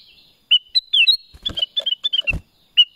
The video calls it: Suara Kutilang Emas | BLACK CRESTED BULBUL